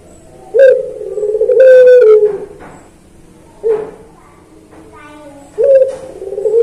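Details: Puter pelung Barbary dove singing as a master recording for training pet doves. Deep, slightly falling drawn coos start suddenly three times, the first held longest, with quiet gaps between.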